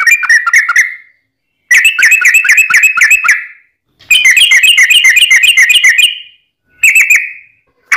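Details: Yellow-vented bulbul fighting song, long-rolling, used to provoke other bulbuls to answer: bursts of rapid bubbly warbled notes, each burst lasting one to two seconds, separated by short silences, loud and close.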